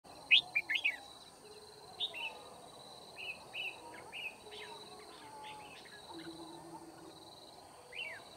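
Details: Red-whiskered bulbul recorded during bird trapping at Kim Bôi, Hòa Bình, on 9 February 2019: short bright chirped and slurred notes in scattered bursts, with steady high insect-like hum and soft background noise.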